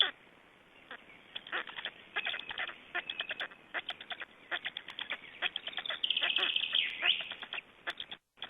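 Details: Black storks at a feeding in Estonia, 22 May 2012: many short dry clicks and knocks run throughout, and a drawn-out, high, rasping call rises for about a second near the end.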